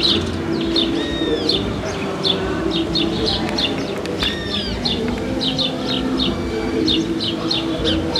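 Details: City house sparrows in Paramirim, Brazil, calling around the squares. Short bright chirps come in clustered runs, mixed with a few thin sliding whistles from other birds over constant low traffic hum.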